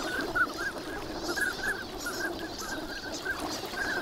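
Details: Wintering ducks crowd the shore at Nagahama, Lake Inawashiro, in fine morning weather, producing scattered short whistles from several birds, soft and overlapping, with one brighter note early on and gentle ambient noise.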